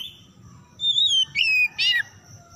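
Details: Oriental magpie-robin song played as a lure for stressed, silent birds: after a quiet start, a long level whistle, a second sliding whistle, then a harsh, buzzy descending burst.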